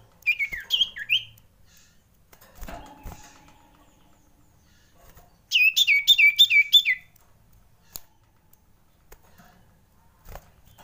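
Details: Common iora, frightened: a few swooping whistles, then after a pause a fast run of about eight sharp, downward-sliding whistled notes, followed by quiet with faint clicks.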